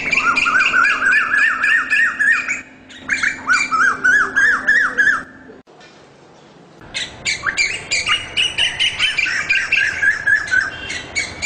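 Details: Rapid, shrill calling of an Asian koel: strings of piercing, upward-bending notes repeated quickly, broken by a sudden near-silent gap mid-way before the fast bubbling series starts again.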